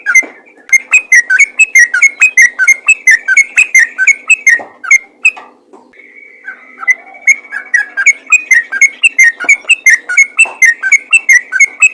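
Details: Lure call of a lively yellow-vented bulbul, meant to prompt other bulbuls to call back: fast, loud, gurgling whistled notes in a steady rhythm, broken by a short pause and one drawn-out flat whistle before the chatter resumes.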